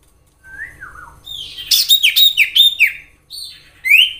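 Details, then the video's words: A common iora gives clear whistled slurs, then a burst of rapid, sharp chattering notes and a final rising whistle. "Sirtu gacor nyiul asli suara Alam cocok untuk pancingan sirtu ombyokan,agar cepat Bunyi"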